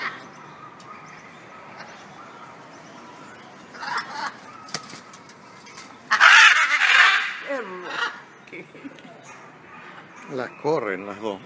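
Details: Loud, grating squawks from wild blue-and-gold macaws that come each day for food. A long raucous burst in the middle follows shorter harsh calls, with people talking in Spanish nearby.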